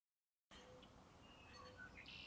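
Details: Red-winged blackbird (Agelaius phoeniceus) song: a few short, high introductory notes then a harsh, buzzy trill, over a steady low background rumble.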